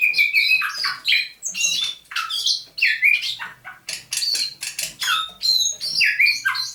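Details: Captive thrush nightingale from near St Petersburg, caught May 2019, singing at dawn on 27 November 2021: strong, repeated downslurred whistles and sharp chips in loud, rhythmic bursts.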